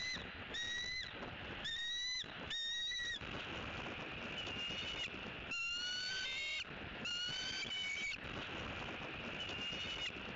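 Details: Wild bald eagles at their nest in Southwest Florida on a November morning, one eating a large fish while its mate tests the nest: series of high, thin, whistled chittering notes in bursts, over steady broadband wind or hiss noise.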